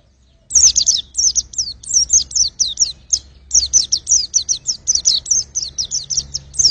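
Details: A white-eye sings a long, nearly continuous run of sharp, high, sweeping chirps, dozens of quick notes strung together with scarcely a break.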